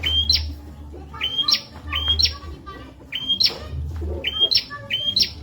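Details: Bar-winged prinia (prenjak) song used as a training recording for murai and ijo songbirds: sharp rising whistled notes ending in a high buzzy flick, phrases repeated about every second, over a steady low hum.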